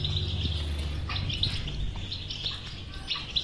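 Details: European goldfinch batbata-style twitter, for stimulating a silent goldfinch to sing: short high chirps and trills over a loud low hum and rumble that dominates the opening second.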